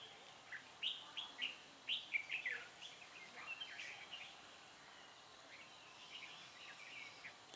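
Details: Red-whiskered bulbul, a decoy bird singing to lure wild birds into a trap, recorded 10 December 2016; a quick run of short bright chirps and warbled notes, loudest early then trailing off, over steady outdoor hiss.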